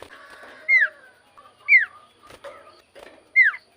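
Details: Common iora giving clear downslurred whistles, each falling sharply in pitch, spaced about a second apart with soft quieter notes between them. A faint murmur of background noise is present.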